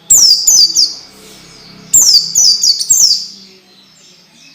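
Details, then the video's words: Training song for young orange-headed thrushes. Bright, piercing, high notes slide downward in rapid clusters, with two bursts about two seconds apart. A soft low hum continues beneath them. "SUARA MASTERAN BIKIN PELECI BAHAN CEPAT BUNYI DAN GACOR"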